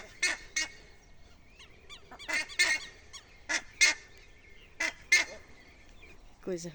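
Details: Four buff-necked ibises perched in a tree on a farm give a chorus of harsh, nasal honks. Single and paired blasts come irregularly, about every half second to a second, with a person's voice briefly audible.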